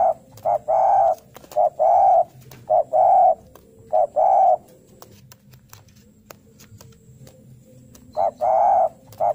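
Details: A spotted dove sings vigorously, calling as if challenging a rival: soft, hollow coos in phrases of short notes followed by a longer drawn coo, repeated with a pause between phrases.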